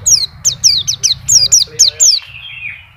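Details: Champion master white-eye in nonstop ngacor singing, with its isian song fill on display. It gives a series of bright, steeply falling whistled notes about every quarter second, ending in a softer fading trill, over a faint low hum.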